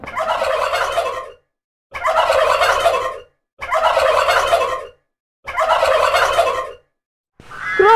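A turkey gobbles four times, each a loud, rapid, rattling burst lasting over a second, spaced by short silences; a different tonal call begins at the end.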